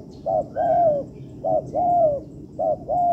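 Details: Training recording of a spotted dove in an artificial yard: three rounded coo phrases, each a brief hoot leading into a sustained, mellow, slightly descending note, about one phrase per second, with a faint insect-like buzz behind.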